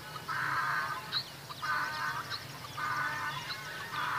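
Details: Black francolin calling: four harsh, buzzy, harmonic-rich phrases, each under a second, repeated roughly every second, over a faint low hum.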